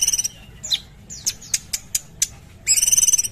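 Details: Sumatran bulbul in energetic full song: bursts of rapid high trilled notes at the start and end, with scattered sharp chirps and downslurred whistles between them, over a quiet low hum.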